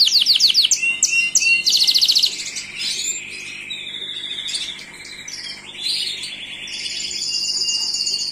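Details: Gloster canary singing short loud bursts of fast swept notes and rattling trills, followed by softer buzzy and chattering phrases and a high sustained trill at the end.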